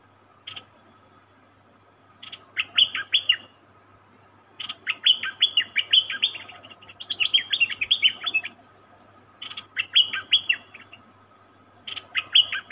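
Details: Caged wild-caught cream-vented bulbul giving repeated phrases, each opened by a sharp click followed by a quick run of bright descending whistled notes, phrases recurring every two to three seconds over a steady faint hum.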